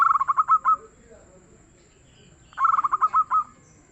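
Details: Local zebra dove, noted as a prolific singer with a soft tone, delivers two clean phrases of quick stuttering coos that slow toward a final drawn note, about 2.5 seconds apart, over a quiet background.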